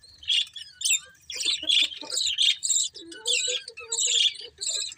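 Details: Pet budgerigars chirping, a dense stream of bright, scratchy warbles and short squeaky notes in quick bursts, with brief pauses between phrases.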